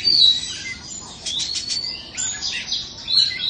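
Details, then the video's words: Oriental magpie-robin from Indonesia, kept caged and called a two-season bird, gives a piercing whistled note, then softer scratchy chatter and twitters before another bright whistle near the end. "Choè than Indo bán (chim 2 mùa)"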